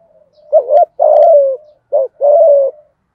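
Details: Lure spotted dove giving its 'giọng thổ' song, meant to draw wild doves into answering: two soft, hollow phrases. Each is a short wavering hoot, then a long, slowly falling coo, with no other sounds.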